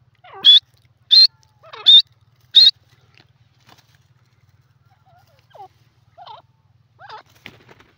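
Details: Four loud, sharp, high notes from a grey francolin, evenly spaced over about two seconds, then several faint, lower, softer calls and a short burst of clicks in near silence.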